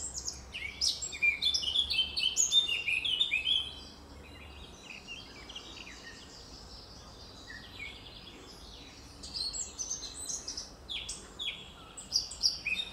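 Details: Eurasian blackcap singing in a forest, a rich, fast, high warble with melodious whistles, in two bursts separated by a few quiet seconds, with faint background hiss.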